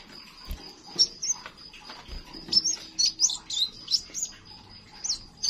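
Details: Crimson sunbird song, used to coax silent young songbirds into singing: a quick string of sharp, very high chirps and short twittering notes bunched in the second half, over a steady high-pitched hum and faint background noise.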